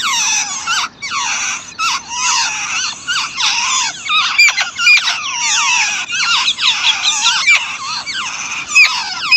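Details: Chicks begging while their mother feeds them: dense, overlapping high squeaky calls, many rising and falling sweeps, in continuous chattering bursts with brief pauses.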